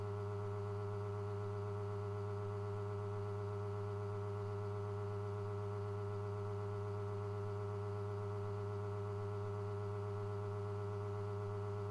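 A steady, unchanging low mechanical hum with layered droning tones, like a motor or fan, and no animal calls.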